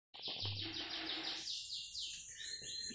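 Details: Bananaquit coming out of moult and singing well: a high, buzzy, rapidly pulsed trill for over a second, then brief sharp high notes, with low murmuring in the background.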